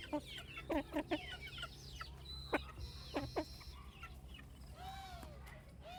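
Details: Farm chicks heard as scattered high peeps and a few drawn-out arching notes, with clustered tapping clicks early on and a steady background hum.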